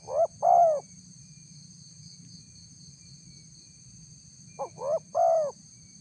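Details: Lure call of a spotted dove for wild birds. An opening coo phrase ends in a long mellow note. A second phrase, two quick hoots and a drawn coo, follows after four quiet seconds. A thin electronic whine stays steady.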